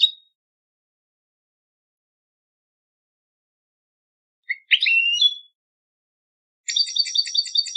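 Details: Singing-competition song of a European goldfinch: a clipped note, a long silence, a harsh slurred phrase with a rising whistle, then a crisp, stuttering, high-pitched rattle of repeated chirps. Quiet background.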